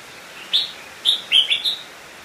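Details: A decoy red-whiskered bulbul sings to lure wild bulbuls in to fight, giving four quick, bright, liquid high-pitched phrases with short gaps against a quiet background; red-whiskered bulbul.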